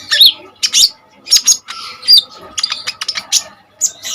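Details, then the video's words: Lively Common iora song meant as tutor material for other songbirds: quick bursts of high scratchy chips and short whistled notes tumbling in uneven clusters, with a faint low hum underneath. "KONIN GACOR FULL TEMBAKAN SADIS"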